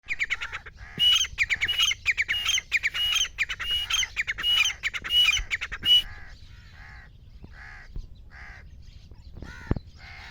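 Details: Grey francolin (gora teetar) calling, offered as a sound for hunters: a loud run of harsh, squawking notes repeated roughly every half second for six seconds, then fainter, widely spaced notes over a low background hiss.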